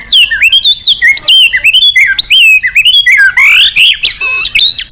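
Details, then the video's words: Caged white-rumped shama singing a rich, varied song used to stimulate other birds to sing: rapid sweeping whistles, rising and falling slurs and sharp chirps, densely packed with hardly a pause. "Suara Terapi Burung Murai Batu Gacor Emosi"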